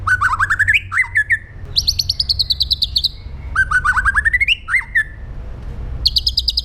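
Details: White-rumped shama, fierce 'pastol jahat' song meant for training other shamas: buzzy rising trills alternating with long high rattling phrases, the pattern repeated twice in quick succession, with a low hum beneath.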